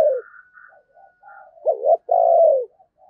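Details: A spotted dove kept as a decoy coos in the 'thúc gù' manner meant to provoke wild doves around Tết. It gives a short wavering note and then a longer, slowly falling coo, after a soft higher whistled tone.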